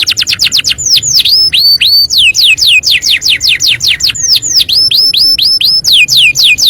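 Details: Canary described as a master singer calling friends and fighting, delivering rapid chains of sharp downward-slurred whistles, some longer swooping notes, over a faint low background hum.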